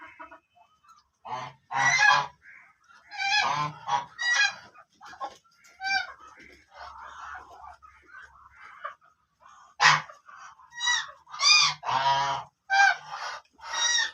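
Black ducks give harsh, nasal, honking quacks in short bursts, several calls overlapping and pausing irregularly, with brief quiet gaps between bouts.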